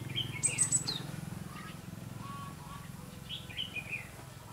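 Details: Red-whiskered bulbul singing as a decoy while wild bulbuls are trapped, 5 November 2016; short bright chirps and slurred warbled notes in two bursts, with a steady low hum underneath.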